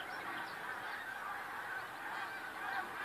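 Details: Snow geese in a huge flock, February 28, 2013: a steady wall of honking voices blending into one continuous clamour, with no single bird standing out.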